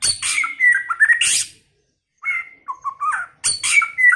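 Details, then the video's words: Varied song of a White-rumped shama early in its season: loud harsh rasping notes blended with sliding whistles, a pause, then wavering mellow whistled phrases and another harsh whistled burst. "chòe lửa hót,chòe lửa chuyền mùa đầu"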